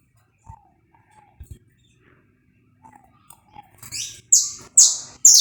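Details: Saffron finch, recorded live as a warm-up song. Soft scattered chips and light taps give way to three or four loud, buzzy, downslurred notes that build toward the end.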